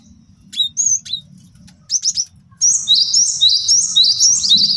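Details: Scattered sharp chips give way to a steady run of high, two-note whistled phrases repeated quickly, sung by a male cinereous tit kept as a master song for training birds and luring wild ones.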